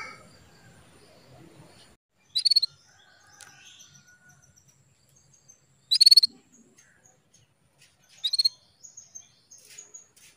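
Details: Female canary call meant to rouse a male into breeding condition: three spaced bursts of quick, high stuttered chirps across ten seconds, with faint whistles and ticks between them.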